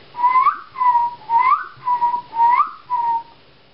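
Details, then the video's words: Black-tailed godwit calling its own name while flying up from a post into the air: six clear whistled two-part notes, alternating a rising slurred note with a level one, repeated about every half second. "geluid grutto"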